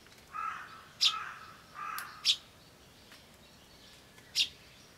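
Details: A crow calling somewhere gives two harsh, drawn-out caws about a second apart, while a sparrow chick's high, sharp chirps, feebler than usual, cut in three times; recorded 21 May 2013.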